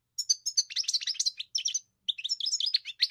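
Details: A European goldfinch sings a fast, jingling twitter of high clear notes and buzzy chirps, pausing once briefly before resuming; no other noise.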